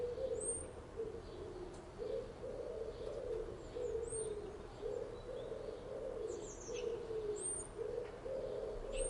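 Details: Morning birds, with low, soft cooing phrases rolling on almost without a break, each lasting about a second, over thin, high, brief whistled chirps that come every couple of seconds.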